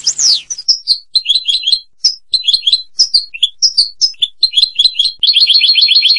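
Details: Sweeping downward whistle followed by spaced groups of crisp, high chirps and doubled notes from a European goldfinch, speeding up at the end into a tight, rapid rattling trill.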